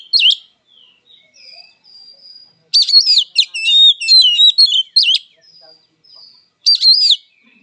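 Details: Oriental magpie-robin (kacer) giving its fighting song: soft thin whistles lead into a loud burst of rich, warbled whistles mixed with scratchy buzzes, ending with a sharp rising-falling whistled note after a pause.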